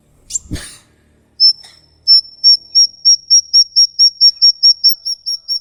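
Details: High 'ngikik' call of a songbird, from a lure recording: after a short noisy burst, clear whistled notes repeat about three times per second in an even, steady series.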